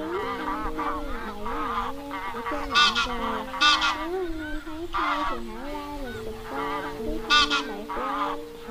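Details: Wild geese calling their flock together, a trapping lure: a dense chorus of nasal honks, with sharper loud honks rising above it several times and a steady low drone throughout.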